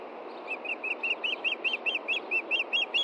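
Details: Evening at a Montana osprey nest, 23 June 2013, with an Osprey hunting for its fish after the chicks were fed: about thirteen whistled chirps growing louder, roughly five per second, against background hiss.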